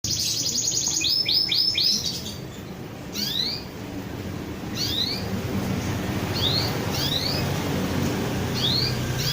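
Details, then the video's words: Canary singing energetically: an opening fast run of high bright notes, then repeated short rising sweeping whistles every second or so over steady background hiss. "Burung kenari gacor"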